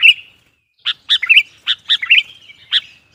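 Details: A sooty-headed bulbul sings to provoke and call wild bulbuls: bright, bubbly notes in short, loose groups, some paired and slightly slurred, with gaps of under a second between them.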